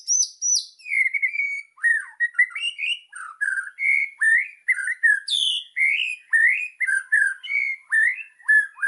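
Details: Lively white-rumped shama master song for training birds: clear slurred whistles rising and falling in short phrases about every half second, mixed with sharp high chips and brief buzzy notes, loud and continuous.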